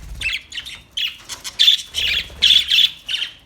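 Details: Budgie chattering loudly in quick, rasping, warbled chirps, bursts packed closely with brief gaps, harsh and bright throughout.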